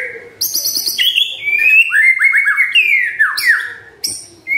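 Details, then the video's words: Morning lure song of a white-rumped shama meant to make quiet birds sing: high buzzy trills, then a fast series of repeated downslurred whistles and sweeping descending notes. "Pancingan PAGI PAGI agar GACOR❗❗ murai DIAM pasti respon LEBIH gacor❗❗"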